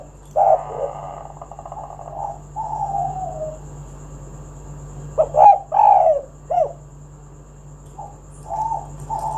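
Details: Spotted dove singing to set other doves calling; an opening coo and a slurred falling note, a pause, then a tight group of three rolling coos and softer trailing ones, over low hum.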